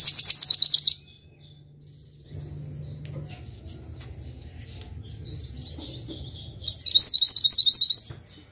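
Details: A Mantenan bird recorded for songbird training opens with a loud buzzy high trill lasting about a second, then faint clicks and twitters over a low hum, and closes with a fast series of high slurred chirps.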